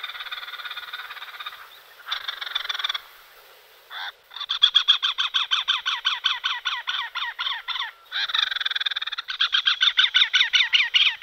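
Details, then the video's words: A great spotted cuckoo (Clamator glandarius) gives harsh, rattling chatters, fast runs of grating notes in several loud, insistent bursts, with no other sounds. "Clamator glandarius / Great spotted cuckoo"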